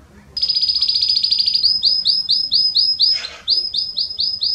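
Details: Belgian canary in powerful song meant to warm up another canary: a dense, sustained buzzing roll gives way to a series of clear upward-swept notes, about two per second, briefly interrupted by a harsh noisy burst.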